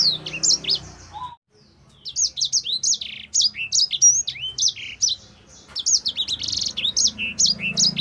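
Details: Black-throated canary (sanger) singing vigorously in fighter style, recorded as tutor song: fast, varied run of high chirps and rising and falling whistled notes, a brief pause near the start, a low steady hum beneath.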